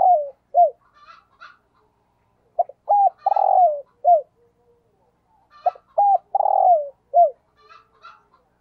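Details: Spotted dove kept as a decoy, cooing in the 'thúc gù' style: two full phrases of clipped lead-in notes, a long throaty hoot and a falling final note, with faint higher chirps between them.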